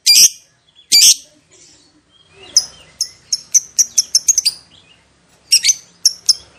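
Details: Lovebird, kept as a pet, giving loud sharp high chirps in short bursts, with a quick run of clipped notes in the middle and a final cluster, separated by brief quiet gaps.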